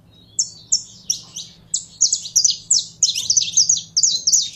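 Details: Caged saffron finch, being fired up by handling, sings. Sharp high chirps start singly, then speed into dense, twittering runs of about three notes per second, with a quiet steady hum behind them.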